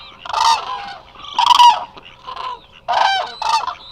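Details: From a resting flock of Eurasian cranes at the Hula Nature Reserve in Israel, seen on a live camera, come four loud rolling trumpet calls in quick succession, harsh and overlapping.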